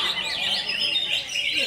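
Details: High, busy warbling of a greater green leafbird delivering konslet-style song, continuous twittering notes rippling quickly up and down in a tight, unbroken stream.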